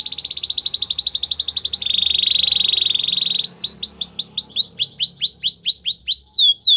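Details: Canary performing a training song: a quick pulsed high trill, a smooth lower rolling trill, then a series of loud downward-sweeping whistles about four per second.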